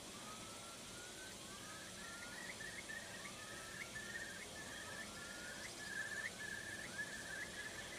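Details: A Eurasian curlew heard faintly near Buxton, Peak District, Derbyshire, on 28 April 2013, giving rising whistled notes that run into a long series of bubbling, warbling trills over a steady background hiss.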